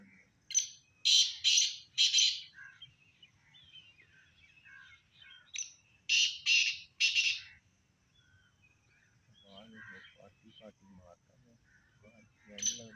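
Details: Black francolin calling: two loud, harsh, grating phrases of three rasping notes each, several seconds apart, with faint chirps of other birds between and a low voice-like murmur near the end.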